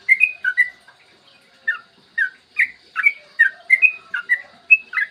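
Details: Yellow-vented bulbul, used as a lure so other bulbuls start singing, in clear morning song: a few fast bubbly notes, a gap of about a second, then a run of chirpy two-part phrases alternating higher and lower.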